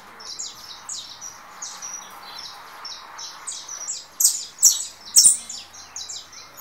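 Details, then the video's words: Saffron finch of the 'russo' song type, coming out of molt and singing against a recorded bird on another phone; steady high slurred notes, growing louder with a few strong sharp chips near the end. "Canário da terra russo."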